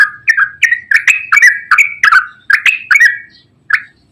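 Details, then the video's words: Yellow-vented bulbul singing eagerly in long ropel style, played as a lure for birds that seldom sing. Clean quick whistles slide down and back up in rapid succession, then fade to a single last note. "KICAU TRUCUKAN GACOR ROPEL PANJANG"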